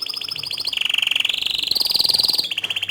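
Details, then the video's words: Bottle-green canary singing a tutor song for young and untrained canaries: continuous high rolling trills that shift between pitch levels, dipping lower, climbing again and falling back, with a rapid pulsing texture throughout. "Kicau Kenari Hijau Botol Gacor Dor Cocok Untuk Masteran Kenari Paud dan Bahan"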